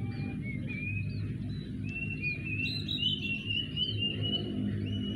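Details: Three cuckoos, locally called "sirit uncuing", play in a tree and answer each other with shrill calls. Drawn-out whistled notes slide upward and overlap one another, over a constant low rumble.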